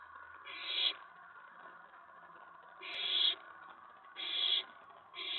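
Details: Excited owlet inside a nest box at night, 19 May 2017, after a mouse delivery, as an owl arrives at the tray: harsh, breathy hissing bursts about half a second long, three full ones and a fourth beginning, at uneven gaps.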